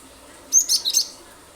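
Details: Lively cinereous tit singing in the rapid 'nembak' style, played to prompt other birds to answer: a brief phrase of three or four piercing high notes mixed with buzzy, scratchy sounds, lasting half a second.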